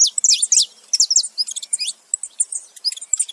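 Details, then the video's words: Saffron finch male and female making noise together, rapid high chirps and short whistled sweeps tumbling over one another without pause. "canário da terra macho e fêmea junto fazendo barulho"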